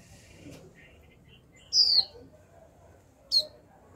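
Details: Caged young female Japanese white-eye repeating its 'chíu' call to draw song from males: a longer, high, descending whistle followed by a shorter sharp one, with faint soft chirps earlier.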